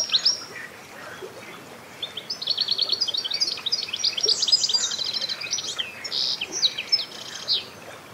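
Mistle Thrush giving dry, chattering, high-pitched rattles, a dense run of rapid ticks over several seconds against a faint background hiss.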